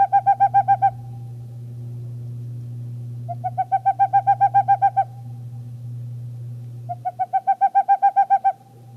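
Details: Boreal Owl song played in a talk on monitoring owls in Maine: three rapid bursts of about a dozen hollow, evenly spaced hoots, each burst ending abruptly, over a steady low hum.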